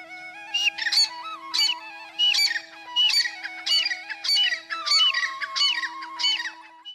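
Black francolin giving loud, harsh, grating notes, repeated about every two-thirds of a second, over a steady musical drone.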